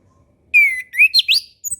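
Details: A sweet whistled phrase from an orange-headed thrush, played as a master for beginner birds: a long sliding note followed by quick rising, looping notes and a brief high chirp.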